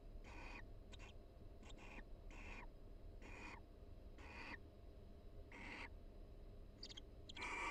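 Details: Barn owl pair in a nest box, University of Florida, exchanging soft calls during mutual preening in the breeding season; about nine hissy bursts of mixed length, some very short, ending on a louder rasp.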